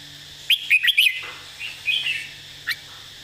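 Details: Red-whiskered bulbul giving a model song with clear, emphasized phrasing: a fast phrase of four bright whistled notes, then a softer warble and a single short note.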